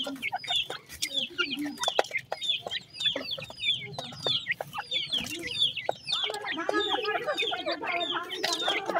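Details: Grey francolin (teetar) chicks calling, with dense overlapping high thin peeps and short downslurred chirps from many birds, plus soft clucking lower down and scattered clicks and knocks.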